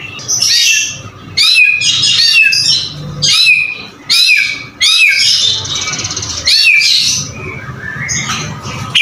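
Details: Murai batu (white-rumped shama) uttering harsh, squawky phrases with upswept whistled notes, delivered in bursts roughly every one to two seconds.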